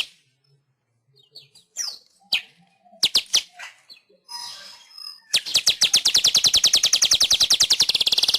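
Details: Weaver song from an Indonesian training recording for pet birds: a few scattered chips and short buzzes build into a long, accelerating train of rapid, high, clicking notes that runs for about three seconds.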